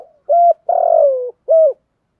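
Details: Spotted dove giving a well-structured 'thúc gù' cooing song: three low, mellow coo notes, the middle one long, rough and gently falling, the last short and bending down, with clean silence between them.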